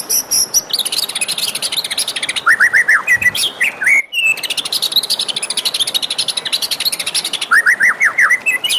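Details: White-rumped shama in the morning, a dense stream of high twittering and chattering notes with short bursts of downslurred whistles, a brief pause midway.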